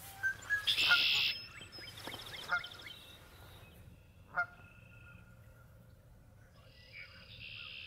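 Canada goose giving a loud burst of harsh, nasal honks in the first second, then scattered quieter honks and calls over a faint hiss.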